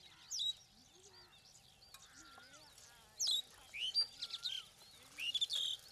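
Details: Starlings calling with a jumble of clear whistled slurs, buzzy chirps and squeaky notes, delivered in separate bursts and spaced by a few seconds of near quiet.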